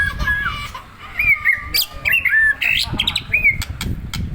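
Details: Caged white-rumped shama being provoked, singing clear whistled slurred notes and rising and falling phrases with sharp high chips, over rustling, knocking and low background noise.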